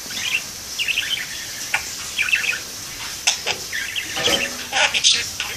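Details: A pet parakeet sitting in a window gives quick bright chirps and short warbled twitters in scattered bursts, with a faint steady background hiss.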